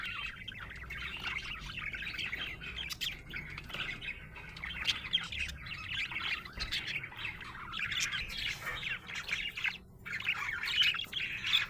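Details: Long run of cheerful budgerigar chirping, a nonstop warbling chatter of twittering notes that grows louder and busier toward the end, with a few brief pauses.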